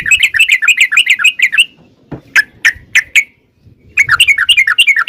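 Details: Rapid 'ropel' lure song of a sooty-headed bulbul, meant to make other bulbuls reply: fast bubbly chatter, a thump, four spaced clear notes, then another quick run of slurred notes.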